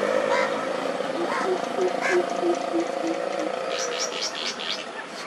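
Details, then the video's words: Andaman coucal, also called brown coucal, on Andaman Island, India, in March 2020: a series of about eight low, hollow hoots, evenly spaced, followed by a higher, quick chattering call from another bird. "Amazing Footage of Andaman Coucal"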